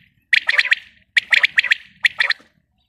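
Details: A female common quail (Coturnix coturnix) gives three quick bursts of harsh, raspy calls, four or five clipped pulses each, repeated about once a second.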